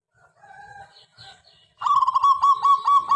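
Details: Local zebra dove with a big voice, used as a lure to get other doves singing in morning and evening; after faint, scattered notes, a loud run of rapid, evenly repeated mid-pitched cooing notes fills the final second and a half.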